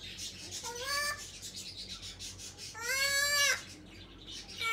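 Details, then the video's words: African grey parrot, a pet, calling "papa papa": two harmonic, slightly rising voiced calls about two seconds apart, each roughly half a second long, with faint background chatter. "calling “Papa Papa”"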